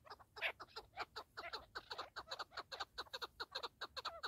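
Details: Partridge giving a fast series of short, harsh clucking notes, about two or three per second, fairly steady and unevenly spaced.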